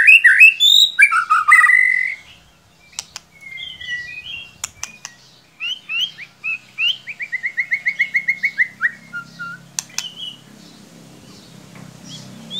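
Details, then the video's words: White-rumped shama, a cage bird, singing varied whistled phrases, then a long rapid trill of repeated notes, with clicks and a faint rustle near the end. "Solusi murai ngiriwik kurang gacor cukup dengarkan suara pancingan ini pasti nyangut"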